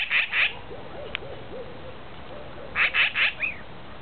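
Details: Several wild magpies yelling in a valley while eating a prairie dog; harsh, rasping squawks come in a pair, then after a pause in a run of four, with faint lower whistled notes between.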